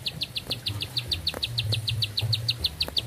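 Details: Vigorous bar-winged prinia song: short high chirps repeated quickly and regularly, a fast ticking trill over a muffled low hum.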